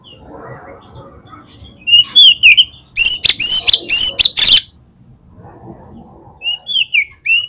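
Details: Lure song of an Oriental magpie-robin meant to set off other magpie-robins singing: bursts of bright, rapidly repeated whistles and harsh chatter, with a quieter low rumbling background between phrases.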